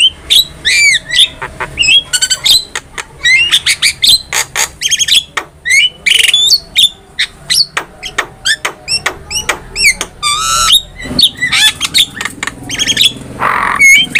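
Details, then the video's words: Long varied outpouring from an actively singing Javan myna, used to train cage birds: rapid clicks, sharp ticks and looping whistles strung together almost without pause, with a short harsh rasp near the end. "MASTERAN JALAK KEBO GACOR"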